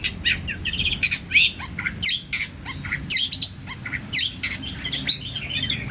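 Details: Long-tailed shrike singing energetically with an abundant fill of mixed phrases, recorded as mastering material for other birds: rapid, varied, chirping notes and sharp rising-falling squeaks, bursts roughly every half second with brief pauses, no other sounds.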